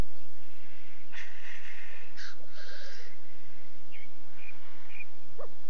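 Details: Courtship display of black grouse at an Alpine lek in France: several breathy hissing sneeze bursts and a few short squeaky notes over quiet background, with no steady bubbling.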